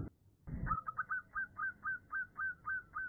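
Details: Female zebra dove calling to a male gives short, soft cooing notes in a quick series of about four per second; a brief thump comes just before.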